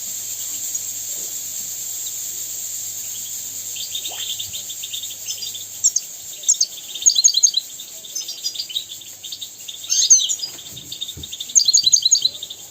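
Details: European goldfinch song, a tutor recording for teaching young goldfinches and canaries to sing. Quiet hiss at first, then scattered high twittering bursts with quick chirps and trills in the second half.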